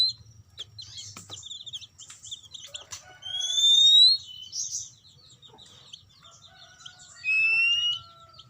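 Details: Lure song of an oriental magpie-robin for stimulating untrained birds. Busy high twittering and short chirps lead into a loud rising whistle, then scattered sliding whistles and one more loud burst near the end.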